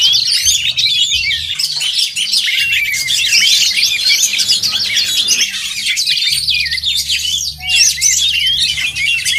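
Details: Several oriental magpie-robins compete in song at a contest, producing an unbroken wall of high twittering, whistled slurs and rattling trills, with a low hum in the background throughout.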